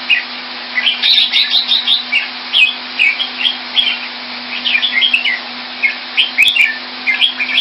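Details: Singapore-kept red-whiskered bulbul, caged and kept Thai style, February 2018: lively runs of bubbly whistled notes, each phrase a cluster of quick up-and-down slurs, repeated steadily against a persistent droning hum.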